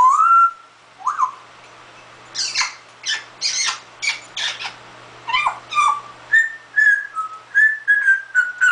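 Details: Pet parrot imitating a cough indoors: a whistled rising note, then a run of short harsh bursts like coughing, followed by clear level whistles; a person asks whether it is sick.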